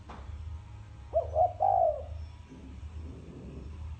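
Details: Spotted dove cooing in the style called thổ sấm: one low three-part phrase of two short hooked notes and a longer throaty note, over a faint low hum.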